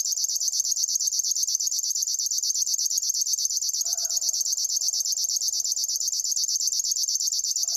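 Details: Relentless mechanical reeling by a River warbler, rapid rasping pulses at a constant pace throughout, with faint lower calls appearing in the second half.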